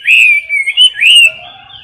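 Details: Chinese hwamei in a cage, competition singing heard up close: a brief run of loud, pure whistles, gliding smoothly down and then swooping up again before fading into a softer trailing note.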